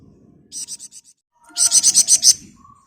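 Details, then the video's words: Flamboyan bird singing intensely in the dense 'ngebren rapat' style: a short run of high pulsed notes, then a louder, faster burst of about seven sharp, buzzy high chips with a faint low hum behind. "Burung Flamboyan Gacor Ngebren Rapat"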